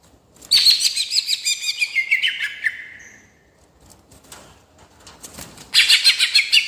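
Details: Greater green leafbird in rolling song used to provoke others: fast rattling high notes tumbling downward for about two seconds, a quiet gap with faint chirps, then a renewed loud chattering burst.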